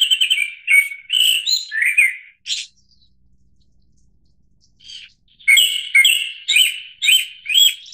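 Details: Japanese thrush singing varied whistled phrases, with one loud high note, then a quiet gap. The bird resumes with a brisk sequence of six ringing fluty notes at roughly half-second intervals.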